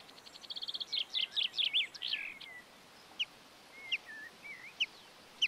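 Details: Common chaffinch in the Montes de León, Spain, during March: a quick series of clipped notes accelerating into louder slurred chirps, then spaced single sharp tweets and short whistled slurs over faint rural background.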